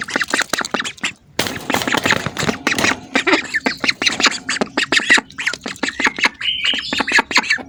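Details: Hungry ducks calling close by: dense, raspy quacks tumbling over one another almost without a break, with a short higher whistled note near the end.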